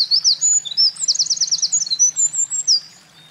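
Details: Eurasian wren at a mountain pass, 28 April 2024, singing downstream and upstream between trips carrying nest material. Loud, high notes and a rattling trill pour out rapidly for nearly three seconds before fading.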